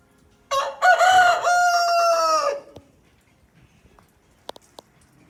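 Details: A rooster gives one full crow about two seconds long, loud and strained, ending in a falling tail. Silence follows, broken by a few faint clicks.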